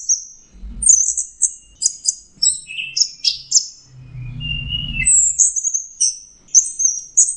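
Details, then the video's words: Orange-headed thrush (anis merah) singing a rich run of rapid high varied whistles and chirps, a brief lower whistled stretch mid-way, then more very high warbling notes over soft low background rumble. "Burung anis merah jenis burung kicau mahal dan suaranya merdu"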